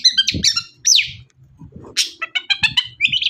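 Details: Long-tailed shrike song used to prompt other shrikes to sing, with harsh squeaky notes, a slurred descending whistle, then quick stuttering chips ending in a buzzy trill. Faint low thumps sit beneath.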